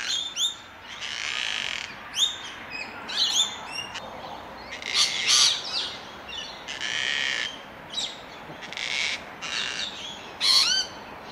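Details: A male gang-gang cockatoo at a tree hollow in Melbourne, Australia, on 8 July 2021 gives its "creaking door" call while inspecting the hollow: harsh, creaky rasping screeches about a second each, repeated, with thin squeaky notes between.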